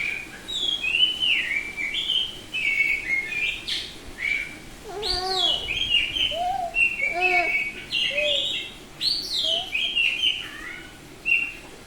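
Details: Oriental magpie-robin, Bali variety, semi-tame and in full open ngeplong song: a long, varied run of loud whistles, trills, sliding notes and lower harmonic chatter, repeated phrases throughout.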